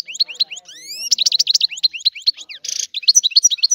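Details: Rapid twittering song of a European goldfinch, with rising whistled sweeps early on, a short harsh rasping burst midway, then a return to quick chirpy notes.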